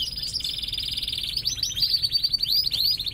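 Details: Morning song of a bird in breeding condition, strong from breeding and at times weaker during moult: continuous high, fast trilling and rattling phrases with quick rising slurred notes over a quiet background.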